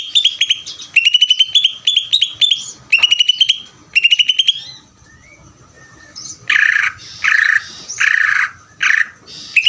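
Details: Greater green leafbird delivering ngeder song: repeated clusters of rapid bright staccato notes in the first half, followed by loud, harsher broadband bursts spaced about a second apart.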